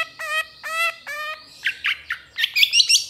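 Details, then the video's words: Long-tailed shrike (cendet trotol) training recording for cage birds: three nasal, buzzy notes, then scratchy chatter building into rapid high twittering. "MASTERAN CENDET TROTOL AMPUH CEPAT GACOR"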